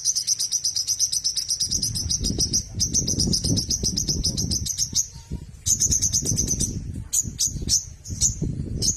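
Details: White-rumped shama, a bird prized by songbird hobbyists, giving a long run of rapid, high, sharp chipping notes about ten per second, briefly pausing, then resuming in choppier bursts, over a steady low rumbling background noise.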